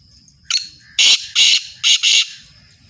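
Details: Black francolin (kala tetar), Sindhi breed, giving its harsh grating call: a short lead note, then four loud rasping notes in two quick pairs, over a quiet low rumble.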